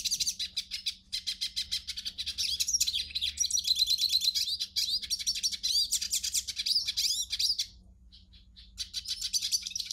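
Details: Hooded siskin song played to warm up and prompt singing in a captive bird: a long, rapid, twittering stream of high buzzy trills and chirps with brief pauses near the end, over a faint low hum.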